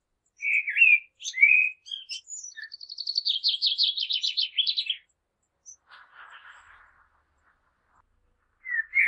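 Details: Common blackbird song: two low fluty warbles, then a fast, even high twittering run of repeated notes lasting about two seconds, a faint rustle, and another fluted phrase starting at the end.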